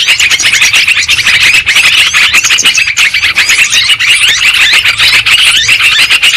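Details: Sooty-headed bulbuls, in a long recording used as a lure for catching birds, chatter in a dense, continuous stream of bright, overlapping chirps and short warbled notes, like a busy flock calling all at once.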